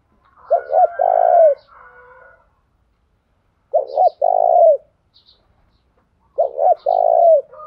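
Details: Decoy spotted dove giving morning calls to lure wild males, three cooing phrases roughly three seconds apart, each a quick double note running into a long, rough coo that falls at the end.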